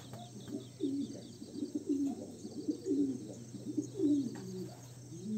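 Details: Homing pigeon chicks at a loft, giving low, soft cooing and squeaky calls in irregular bursts about once a second, over a steady low electrical hum.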